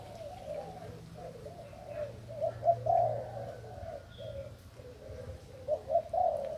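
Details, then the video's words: Decoy spotted dove of Thai stock, recorded 8 August 2018, gives soft, mellow coos in short phrases with several brighter, louder notes near the end. A steady low hum runs underneath throughout. "Cu gáy mồi trần thailand"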